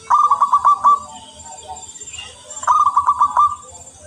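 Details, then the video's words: Local zebra dove, singing vigorously for use as a lure: two crisp phrases of five or six fast, evenly pulsed coos separated by about two seconds of quiet, with faint high whine in the background. "Perkutut lokal gacor sangat jernih suara terbaik buat pancingan"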